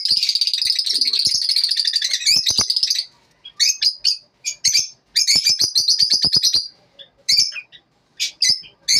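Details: Lovebirds singing in the morning: a long stretch of shrill buzzy chatter, then broken bursts of sharp chirps and squeaks separated by short silences.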